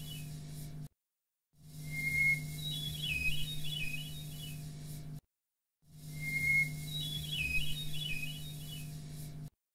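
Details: Hermit thrush song strophe, from a record by bioacoustician Peter Szöke, sings the same phrase twice: a clear held whistle, then a rising cascade of fluty, warbling notes, over a steady low hum.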